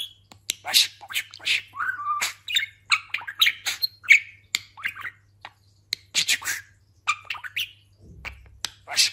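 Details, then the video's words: Talking pet budgerigar, just after a moult and described as very fat, chattering indoors: busy warbling run of short squeaky notes, clicks and brief whistles, uneven bursts separated by short gaps, low steady hum underneath. "Konuşan muhabbet kuşu"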